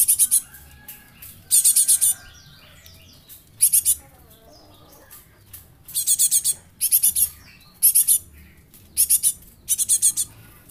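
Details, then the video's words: Juvenile Java sparrow used as a decoy, said to be scarce and near extinction and fit for tutoring other birds; repeated clusters of sharp, shrill chip notes at irregular intervals, with softer faint twitters between bursts. "Glatik anak,an pancingan"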